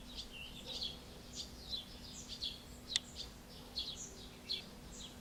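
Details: Barn swallow pair feeding one of their chicks at Alzira, Valencia, Spain, late June 2016: scattered high twittering chirps roughly every half second, with a faint constant low hum behind.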